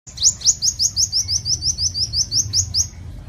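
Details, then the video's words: Sunbird song, a lure recording meant to attract birds: a fast, even series of high, thin rising notes, roughly seven a second, running for about three seconds over a faint low rumble. "Tiếng Chim Hút Mật 7 Màu || Hút Mật Xác Pháo"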